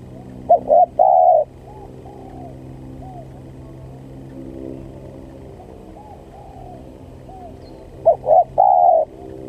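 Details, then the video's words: Spotted dove trapping-lure call: a clear cooing phrase at the start and another near the end, each clipped notes then a long coo, with faint echoing coos and a steady low hum between. "Suara Pancingan Tekukur Pikat||Yang sangat gacor"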